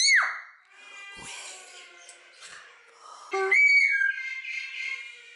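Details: Common hill myna, a talkative imitator, at a bird garden zoo in Upie, Drôme, France: a sharp rising whistle, a long buzzy harmonic stretch, then another loud clear whistle with a fading tone.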